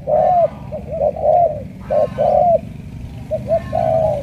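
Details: Deep cooing of a Spotted dove in the thổ cọp style, Cà Mau, voice likened to a pigeon: short clipped notes mixed with longer slurred coos in an uneven pattern.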